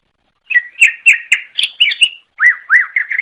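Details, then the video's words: Greater green leafbird, known locally as cucak ijo, singing to lure another; after a short silence, a fast series of chirped, slurred notes about four per second, then looping downward-arched whistles. "Suara Kicau Burung Cucak Ijo Durasi Panjang Untuk Memikat | Long Duration Cucak Ijo Birds Chirping"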